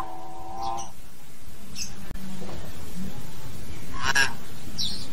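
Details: A common hill myna, singing and calling to its flock, gives a mix of loud whistles and harsh, squawky notes in short bursts, with a steady low background rumble.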